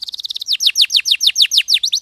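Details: High-pitched canary song. A fast, buzzy, stuttering roll gives way to a series of sharp, downward-sweeping chirps repeated evenly about every tenth of a second.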